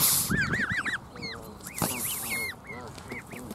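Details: Canada Goose gives short hoarse hisses mixed with rapid, rising-then-falling nasal honks, several per second, with other geese calling in the background.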